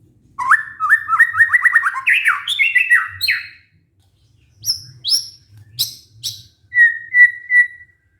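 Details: Lure song of a white-rumped shama for stressed birds that have stopped singing: a long run of varied rapid slurred notes rising in pitch, a pause, scattered high sharp calls and three clear even whistles.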